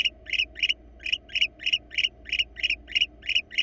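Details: Wild barn owls, a pair at a Florida nest box cam. Loud scratchy double-edged bursts repeat about three times per second, with slight gaps and a low hum in the background.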